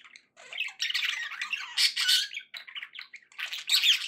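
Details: Several happy budgies indoors produce raspy, bright chatter, loud squawky bursts mixed with twittering, rising in intensity toward the middle and end.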